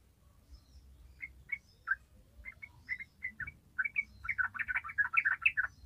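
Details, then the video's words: Yellow-vented bulbul giving long rapid 'ropel' song, a lure for untrained birds: scattered chirpy whistled notes that speed up into a dense bubbling run over about six seconds, with a low hum behind. "ORIGINAL SOUND YELLOW VENTED BULBUL"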